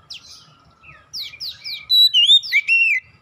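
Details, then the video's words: Oriental magpie-robin lure song to get other magpie-robins singing: a run of short downward-swept chips building into loud, clear slurred whistles and a warbled arched note. "PANCINGAN Kacer bahan cepat gacor"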